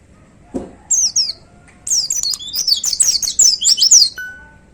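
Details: White-eye kept in a hanging cage, singing the forceful 'tembakan' shooting style: a short high chirp, then a dense, sustained run of rapid, high, sweeping twitters for over two seconds, ending with a brief steady whistle.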